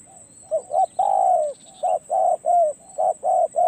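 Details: Spotted dove, a decoy bird taken out to a perch for experience, coos in low, mellow two-part phrases: short rising notes then a long, slightly falling coo, repeated about once a second, over a steady high electrical whine.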